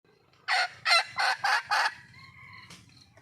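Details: Wild red junglefowl hen calling for a male: five loud, harsh, broadband cackling notes in quick succession, then quiet low rumbling background and a faint distant whistle.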